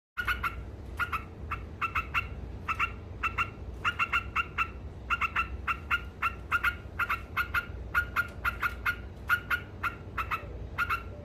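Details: Yellow-vented bulbul (trucuk) giving its 'ngekek' cackling song, presented as provoking rival birds: a long series of harsh, nasal 'kek' notes, often paired, at about two to three per second, over a steady low hum.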